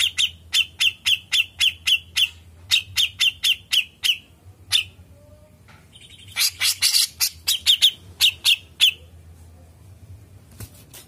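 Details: Grey-cheeked bulbul (cucak jenggot) singing loudly in the long ngepik style: rapid runs of sharp, clipped, high chipping notes. The runs are broken by short pauses, with a denser burst of harsher notes midway.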